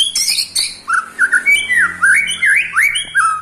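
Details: White-rumped shama, eight months old, delivering ketrekan to rile rival shamas: rapid sharp chips at the start give way to rich rising and falling whistled slurs, looping up and down in quick succession.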